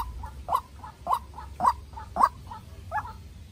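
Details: White-breasted waterhen, young captive-bred decoy, squaring off against a wild bird: six loud croaks at half-second intervals, each answered by a fainter short note in between.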